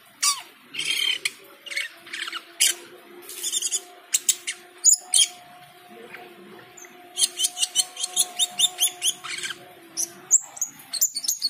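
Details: Cucak keling singing full phrases during the call to prayer: clusters of sharp, high chirps and squeaky notes in quick runs, pausing briefly mid-way, with the chanted call to prayer held low underneath.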